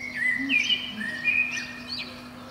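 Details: Eurasian blackbird singing from the top of a pine below a window on a spring morning. Rich, fluting whistles slide and warble in quick succession, tailing off into a thin high note, over a continuous low hum.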